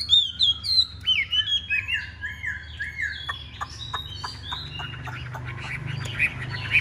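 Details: Chinese hwamei kept as a cage bird in Vietnam, performing fighting-display song: loud clear whistles followed by a sequence of varied slurred notes and sharp clicks, pausing briefly between phrases, with low steady hum underneath.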